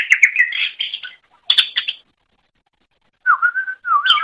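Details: Greater green leafbird song for training other birds to sing: short chattering bursts and sustained whistled notes, a pause, then clear, steady, level whistles with a slight downward bend.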